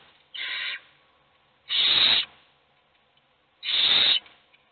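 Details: Begging hungry owl chicks inside a nest box: three harsh, breathy screeches, the first softer, the next two loud and lasting about half a second each.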